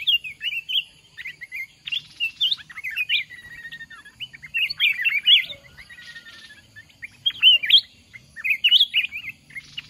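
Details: Red-whiskered bulbul, mountain type, calling at a decoy trap for a fighting contest: repeated clusters of cheerful, chattering whistles, loud phrases spaced every couple of seconds with quieter chirps between.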